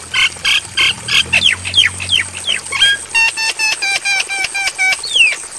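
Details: Javan myna training song for caged birds, meant for night play: four loud harsh notes, a cluster of falling whistled slurs, then rapid ringing clipped notes, ending with a single descending whistle.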